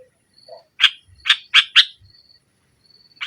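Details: Sooty-headed bulbul song meant to provoke a rival and a silent bulbul: four loud, harsh, buzzy notes close together, with a faint thin whistle in the background.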